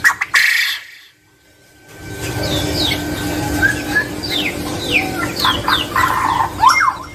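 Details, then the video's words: A male quail gives many quick, high chirps and sweeping whistles, several per second, over a steady low rumble, after a brief loud burst and a pause. "Suara Burung Puyuh Jantan"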